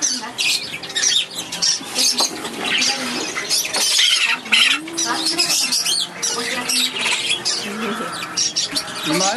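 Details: A Black-headed Caique chick, about one to one-and-a-half months old and kept at a shop, gives harsh, raspy, high begging squawks almost without pause while being fed, with Japanese speech over it; recorded 2011-05-15.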